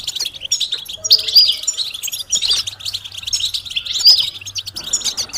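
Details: European goldfinch song in 'betbeta' and 'setseta' styles, used to prompt a silent male to sing: bright tinkling twitters in bursts, some clear rising whistles, brief pauses between phrases, faint low hum beneath.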